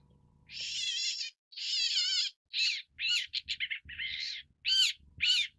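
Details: Long-tailed shrike (Lanius schach), also called great red-backed shrike: harsh, grating rasping notes followed by a series of short, varied squeaky and chattering calls.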